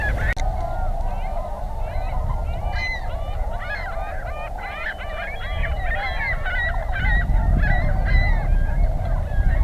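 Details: Large group of Tundra Swans during spring migration stopover in southwestern Ontario near Pinery Provincial Park; continuous babble of mellow, wavering honks and bugles from many birds, over a low background rumble.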